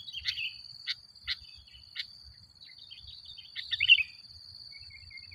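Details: Sooty-headed bulbul in full voice as bait for provoking rival bulbuls: a few sharp clicking notes, then a rich bubbly warbled phrase, faint trailing chirps, and a steady high whine throughout.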